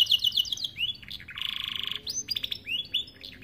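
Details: A starblue-coloured canary singing a song used to train young canaries: quick high trilled notes, then a sustained buzzy rattling block, followed by rising slurred whistles and clipped chirps.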